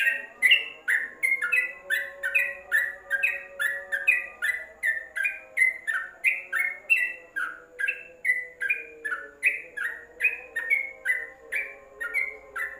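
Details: Caged yellow-vented bulbul kept under a cage cover, used as tutor song: a long, brisk run of short bubbly chirps, some two or three per second, with a faint constant hum behind.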